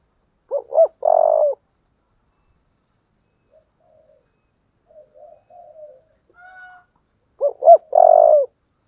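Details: Spotted dove with a 'giọng thổ' voice repeats its phrase twice: two quick low hoots and a long, sustained coo. Soft, faint cooing and a brief tone come between the phrases.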